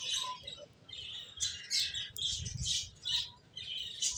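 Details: Finches give high, sharp chirps in clustered bursts about every half second, some notes rising, with quiet moments between and a soft low hum behind.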